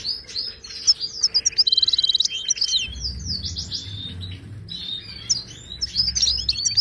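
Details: Moroccan goldfinch in Widani-style song for training caged birds: busy high twitter with a quick, buzzing trill near two seconds, then tumbling chirps and slurred whistles in an unbroken flow.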